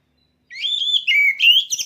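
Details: After half a second of silence, a caged contest oriental magpie-robin whistles a sustained phrase that slides down, then rises again into bright, quavering notes.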